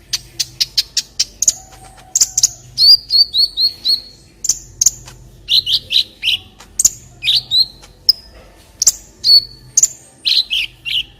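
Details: Olive-backed sunbird song made as a tutor recording for training other birds: rapid series of sharp high chips, then sweet whistled notes and short descending slurs, delivered in quick bursts with brief pauses.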